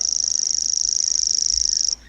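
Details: Common grasshopper warbler, just arriving to breed in the Cantabrian region at Urdaibai, Spain, in April 2021, reels a continuous, very high, insect-like dry trill like a grasshopper without pause, then stops abruptly.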